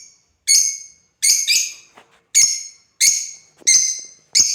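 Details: Playing African lovebirds utter piercing, grating shrieks, some doubled, repeated roughly every 0.7 seconds in an uneven rhythm, each note harsh and bright with a quick fading tail.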